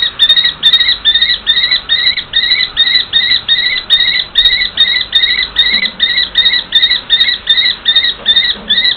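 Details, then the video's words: A pair of common kestrels in a long exchange of calls: a long run of shrill, piercing kee notes, about three per second, steady in pitch and pace, over faint background rumble. "Sokol myšiar - Manželský rozhovor"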